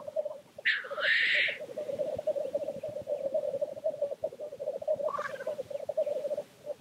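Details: Displaying black grouse at a lek: one sharp, harsh hiss-sneeze near the start, then mostly continuous low, rolling bubbling coos with a faint second call.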